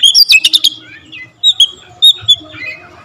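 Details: Oriental magpie-robin producing a fast cluster of sharp chips and whistles, followed by a few separate whistled notes.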